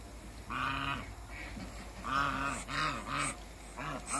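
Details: Two African geese greeting as they meet: a run of loud, buzzy, trumpeting honks in quick succession, some rising and falling, nearly continuous over a few seconds with low farm hum behind.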